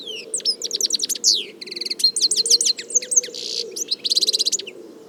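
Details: Nonstop European goldfinch song from the wild: fast liquid twitters, buzzy rattles and sweeping whistled notes tumble together for five seconds, ending in a rapid metallic trill, with a soft low hum beneath.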